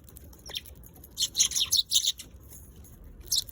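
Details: High, sharp chirps from a Eurasian tree sparrow: one lone note, then a tight run of about five loud chirps in under a second, and a final chirp after a pause.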